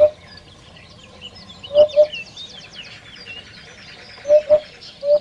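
Common hoopoe giving low, hollow 'oop-oop' hoots in pairs and threes every couple of seconds, with other small birds twittering and chirping in the background.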